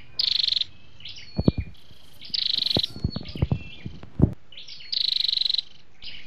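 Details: Flowerpecker male and female calls used to lure wild birds or excite a caged one: three high pulsed buzzy trills with thin twitters, and loud low knocking or tapping sounds between them.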